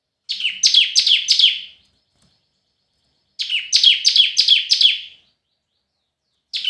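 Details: In competitive singing (hót đấu), a red-whiskered bulbul gives two bright phrases of about five falling whistles each, split by a quiet gap, with a further note starting at the close.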